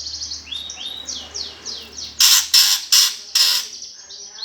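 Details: Greater green leafbird's 'gereja tarung' fighting song for provoking competition birds: a series of sweeping slurred whistles, then four loud harsh rasping bursts in quick succession.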